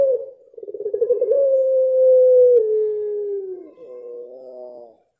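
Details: A Barbary dove of the pelung type gives one long, low coo: a quavering stutter opening, a steady hum slowly sinking, and a brief nasal tail; the song is the long-voiced pelung style.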